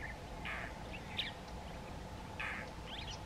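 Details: Indian roller recorded in the morning at Agar Malwa, India, giving two short harsh rasping bursts about two seconds apart, with a few thin chirps between and a steady low hum and background noise.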